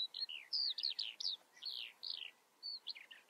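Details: Eurasian skylark singing: a rapid run of high, slurred whistles and chirps, each note sweeping down, tumbling along with short gaps and no other sounds.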